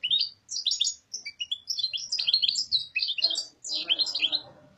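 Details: Goldfinch (Carduelis carduelis) in papadia-style song, a fast, continuous cascade of tinkling, liquid chirps and quick slurred notes with barely a pause between phrases.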